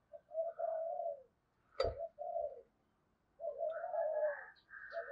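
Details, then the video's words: Decoy spotted dove cooing to provoke a fight, recorded more quietly against faint background hiss. Mellow coo phrases are broken by a sharp click, and higher steady tones overlap the later phrase. "Chim Cu Mồi Thúc Đấu , cu gay kich boi nhanh noi gù/cu gáy thúc đấu"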